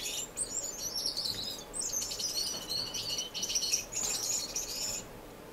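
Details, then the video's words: Several finches singing in an indoor non-breeding community aviary in Edmonton, Canada, March 26, 2015; dense overlapping high twittering and chattering, continuous with brief pauses, birds calling together. "Finch Diaries - Twenty Relaxing Finch Minutes"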